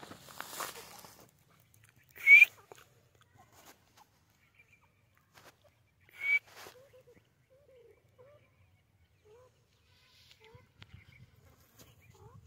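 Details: White francolin (teetar) giving two loud, harsh, short rasping bursts about four seconds apart, with soft, faint chirping notes between them against an otherwise quiet background.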